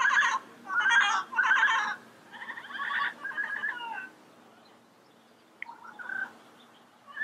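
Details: Yellow-headed amazon producing a run of harsh, nasal squawks that fade into softer, quieter chattering notes, followed by a few faint scattered calls and a low steady hum behind.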